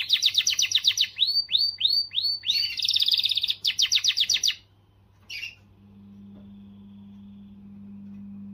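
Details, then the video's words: Canary singing strongly to motivate females: rapid repeated trills and swooping notes about four per second, then the song stops and a low steady electrical hum remains. "تغريدة قوية من الكناري لتحفيز .. The strongest tweet from the canary to motivate"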